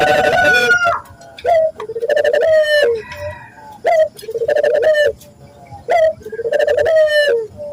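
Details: Lure call of a local Barbary dove for training others to sing. A brief higher drawn tone opens, then rhythmic throaty coos follow in regular phrases, each a clipped note then a longer descending coo.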